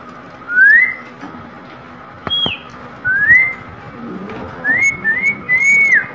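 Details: Pet green parrot producing clear whistled notes that rise smoothly in pitch, given in short bursts separated by quiet gaps, with one sharp higher whistle in the middle and a run of quick whistles near the end.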